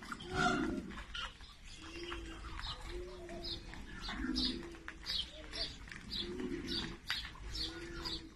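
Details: Common ostrich chicks on a farm in Nigeria: soft, low, hollow cooing notes, repeated about once a second and overlapping from several birds, with scattered higher chirps and a steady background hiss.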